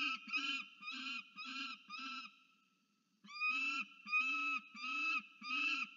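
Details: Peregrine falcon visiting its nest, filmed by a research nest camera at Charles Sturt University, Orange, New South Wales, Australia, on 10 January 2024: harsh, buzzy repeated notes, about three per second, in two series separated by a brief pause.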